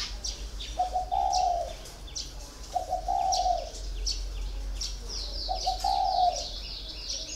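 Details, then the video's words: Spotted dove held in a cage for four years coos three times at even intervals, each phrase a soft short note followed by a drawn-out mellow coo, while sharp chirps of small birds fill the background. "còi 4 năm lồng"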